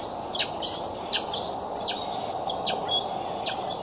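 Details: Bald eagles at the Decorah nest, recorded by a nest camera on 6 July 2011: rhythmic, shrill whistled notes, each rising then snapping downward, repeated several times over background hiss.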